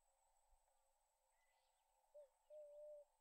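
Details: Emerald-spotted wood dove (Turtur chalcospilos) in Kruger National Park giving two low, soft cooing notes, a brief one then a longer steady coo half a second later, over faint background hiss.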